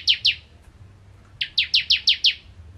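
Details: Ciblek kristal, the bar-winged prinia, singing in 'nembak ngentrok' style: two loud, sharp downslurred chips, a second-long pause, then a quick burst of six more.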